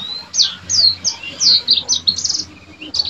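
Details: Yellow-fronted canary singing vigorously: bright, high twittering phrases of quick slurred notes, several falling sweeps and rapid trills in short bursts, with faint low background hum.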